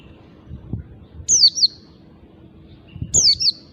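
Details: Wild white-eye used as a lure for other white-eyes, giving two short, very high, thin phrases of sharply downslurred buzzy notes about two seconds apart, with faint low rumbling below.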